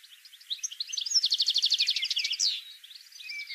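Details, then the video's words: European goldfinch song played as a lure for trapping: a fast run of bright, tinkling, repeated high notes in a dense twittering phrase, ending with a slurred buzzy note. "بتبتة الحسون"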